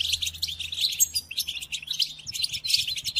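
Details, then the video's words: European goldfinch song used to tutor captive goldfinches: rapid high twittering with liquid chirps and buzzy notes, almost continuous, with a faint low hum underneath. "قدم هذه الآصوات لطائرك الحسون وشاهد ماذا يفعل Chardonneret"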